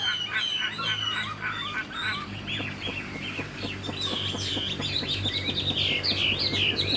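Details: Young caged Chinese hwamei delivering a dense stream of jumbled whistles and warbles, quickening into rapid repeated twittering notes near the end over a steady low hum.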